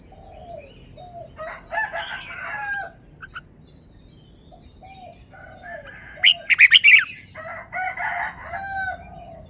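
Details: Red-whiskered bulbul kept in a cage, showing off its song phrases: scattered soft low whistles, a few warbled phrases, then a sharp run of four bright slurred notes, with quieter chattering afterwards.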